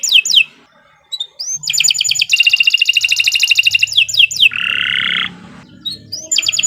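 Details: Canary singing continuously in a long lively song used as a training lure to get other canaries singing: chirps and upswept notes, then a fast bright buzzy trill, a lower rolling trill, and more sweeping notes over a faint low hum.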